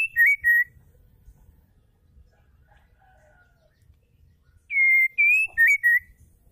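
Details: Female white-rumped shama singing to make males sing: the tail of one whistled phrase opens, and after a quiet gap a full phrase follows, a long level whistle rising slightly, then three short choppy notes.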